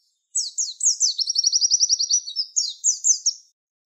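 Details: Javan white-eye 'tembakan wit wit' song for training songbirds: several descending slurred whistles lead into a rapid, rhythmic trill, which closes with more sharp downward-swooping notes.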